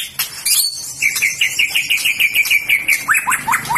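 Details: White-rumped shama said to show fighting spirit and contest readiness, delivering a quick run of repeated chipping notes at an even mid pitch, closing with a few sharp upslurred notes over faint background chatter.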